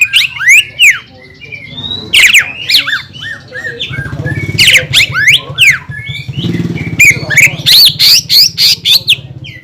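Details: Greater green leafbird song used to stir other leafbirds into singing: varied whistled sweeps and harsh squawky notes in quick bursts over a steady low engine-like hum.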